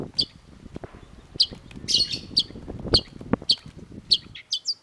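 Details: Long-tailed shrike (cendet) in lively song: bright, clipped high chirps repeated roughly every half second to second, a few quick slurred notes near the end, faint knocking in the background.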